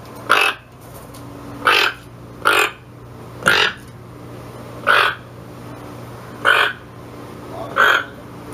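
A toucan gives seven harsh, croaking calls, each short and raspy, at uneven intervals of one to one and a half seconds over a low steady hum.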